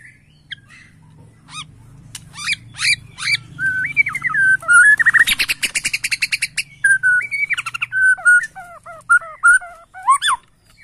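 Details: Bornean white-rumped shama worked up for use as a lure: twisting whistles, then a fast rattling series of about twenty sharp notes, then looping whistled phrases over a low background hum.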